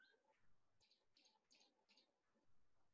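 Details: Grey-backed Camaroptera in Namibia gives four dry, high snapping bursts about half a second apart, like a camera rapid-firing, over a low background rumble.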